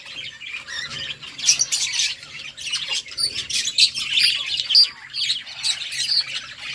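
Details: Budgerigars singing happy sounds: rapid, scratchy warbling with bright whistled pips and squawks, building in bursts, over a faint low hum.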